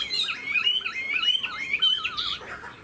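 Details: Tame caged Chinese hwamei with fanned tail, performing an eagle-like wing display; rich, loud warbled phrases sliding up and down in quick wavy twists, with bright whistled notes rising near the end.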